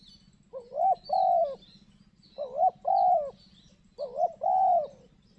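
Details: Spotted dove cooing during a trapping session, answering a decoy dove in thick cover: three clear phrases about every 1.8 seconds, each a short rising note then a longer mellow, wavering coo, over a steady low hum.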